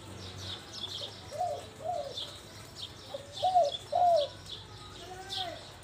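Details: Spotted dove recorded live, cooing: a series of soft, low, hooting coos in an uneven rhythm over steady background noise, with faint higher chirps of other birds.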